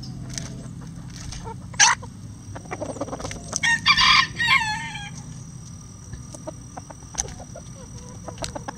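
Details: Bantam chickens at hanging vegetable treats; a bantam rooster lets out a loud, hoarse crow lasting over a second in mid-clip, with a sharp squawk before it and scattered clucks and pecking taps around it.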